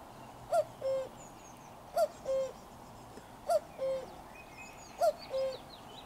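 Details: Common cuckoo heard up close on 4 June 2023, repeating four clear 'cu-koo' calls roughly every 1.5 seconds, the first syllable short and higher, the second held and lower, while small birds chirp softly in the distance.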